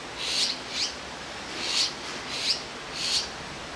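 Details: Azure-winged magpie young that have left the nest, perched in a row in Jirisan National Park, Korea, waiting for a parent to feed them; five harsh, breathy rasps, one roughly every 0.7 seconds.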